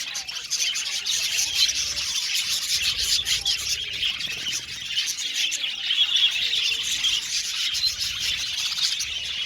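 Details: Budgerigars chirping in an aviary colony, a dense, even blanket of high twittering and short squeaky calls from many birds at once, continuing without breaks.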